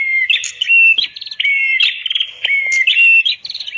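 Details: Red-headed prenjak (prinia) song recorded as a master for training birds that have stopped singing: loud, ringing whistled notes alternating with harsh buzzy trills and sharp clicks, in rapid, varied phrases with no background noise.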